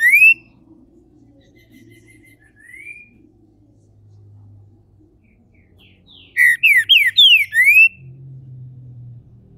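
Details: Captive green-winged saltator kept by a Brazilian breeder, warming up into its main song: one slurred whistle, a softer note, then after a pause a quick run of five loud, descending whistled notes.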